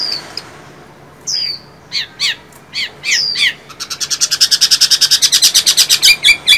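A Chinese hwamei sings loud, high, varied phrases: slurred whistles and squawky notes, then a fast run of repeated ringing notes about three per second.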